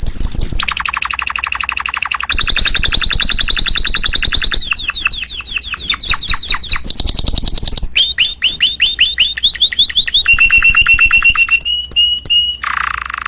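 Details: Varied canary song moving through a series of distinct tours: buzzy rolls, fast trills, rapid ascending sweeps, clear repeated whistles and a few sharp isolated notes, each tour held for one to three seconds before changing.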